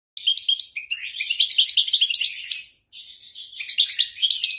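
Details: European goldfinch (wolwal) singing elaborate notes; a fast, continuous twittering jumble of bright chirps, trills and buzzy slides, with a brief pause near the three-second mark before the stream resumes.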